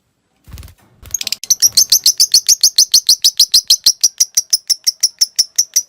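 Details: Caged lovebird singing a long ngekek chatter meant to train other birds: a couple of soft noisy sounds, then a fast run of sharp high chirps about four per second, steady and unbroken to the end.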